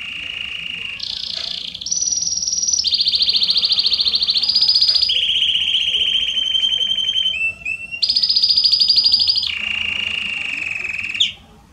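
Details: Belgian canary in strong, continuous song for warming up other canaries: long rolling tours held at one pitch then jumping higher or lower, from low buzzy rolls to bright high trills, with a brief pause near the end.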